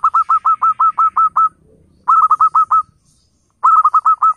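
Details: Local zebra dove calling, played as a lure so wild flock doves answer at once: three runs of quick, evenly spaced, bouncy cooing notes, about eight to ten per run, separated by short quiet gaps.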